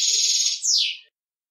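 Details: Single phrase from a male European goldfinch singing to teach young birds: a sustained buzzy note that breaks into a descending slurred whistle.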